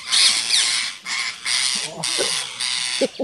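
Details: Harsh, grating screeches from rose-ringed parakeets driving off a rat snake in Gir Forest, Gujarat, India, on 3 April 2015. Four or five broad raspy bursts run almost without a break, and murmured human voices sound low in the background.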